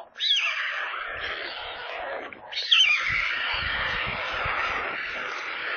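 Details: Screaming white stork chicks, hungry in their nest near Kaluga, Russia, captured by a live stream camera: two loud rasping outbursts, the second starting sharply, each trailing into a continuous hoarse wail.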